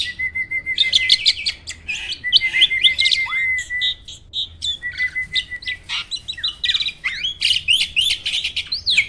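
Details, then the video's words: A caged jalak starling trained with borrowed songs delivers a rapid, loud medley: steady trilled whistle runs broken by shrill, clipped notes and fast chattering bursts, in the Roll, Tembak, Speed style. "Burung jalak isian ISTIMEWAH!! selalu JUARA || Gacornya bukan main."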